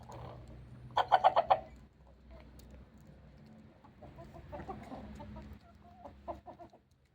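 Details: Rooster straining and making an unusual sound, possibly from constipation: a burst of four or five sharp, rapid clucks, then quieter broken murmuring and a few soft clucks near the end.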